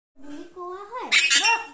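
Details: Caged Alexandrine parakeet talking: a short run of speech-like mimicry, smooth gliding voiced syllables that rise and then break into a harsh, raspy burst before a falling tone.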